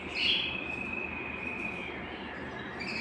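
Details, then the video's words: Belgian canary song meant to stimulate singing and bring hens into breeding condition: a bright note opening into one long, even, high trilled roll, with steady background hiss. "Canto Para Esquentar Canário Belga e Foguear as Fêmeas"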